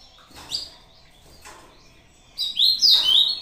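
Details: Ultramarine grosbeak singing against a played video, short song: a few soft chirps, then a loud, rich, warbling burst of high whistled notes.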